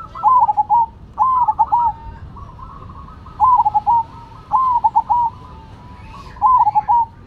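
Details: Two zebra doves, Cemani and Silver varieties, in a singing contest: rolling, quavering coos in short phrases at regular intervals, answered by a softer, flatter coo from another dove in the background.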